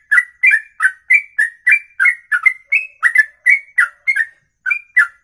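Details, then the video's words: Long ropelan song sung in a single breath for more than two minutes; repeated whistled two-part notes, some rising, others falling, in a quick regular stream with one brief gap. "Inilah Ropelan Sekali Nafas 2 menit lebih"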